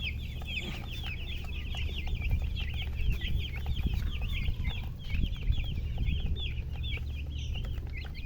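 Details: Chicks of domestic chicken peeping in a rapid run of high, bent chirps, many birds calling together, with a low droning background noise and some faint knocks.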